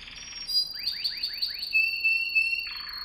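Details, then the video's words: Canary song for teaching young canaries: a held high whistle with five fast downward-sweeping notes, then a lower steady tone and a short buzzy roll. "Most powerful song for training Canary"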